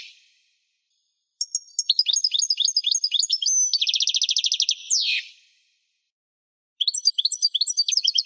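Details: Pet European goldfinch in song: tinkling high twitters lead into a long rapid buzzing trill and a sharp downward sweep, then a short silence before fresh twittering resumes; clean recording with nothing else audible.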